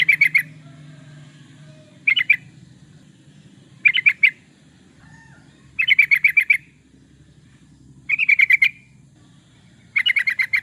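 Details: Yellow-vented bulbul in full energetic song, used as a lure: repeated short bursts of fast, bubbly chirps at intervals of about two seconds, with a steady low hum underneath.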